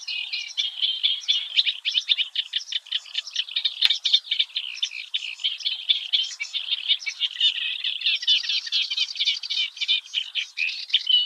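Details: Eurasian reed warbler (Acrocephalus scirpaceus) singing early one morning in the Oostvaardersplassen, the Netherlands: a continuous, chattering run of harsh, rapid notes and repeated scratchy phrases, with one sharp click near the four-second mark.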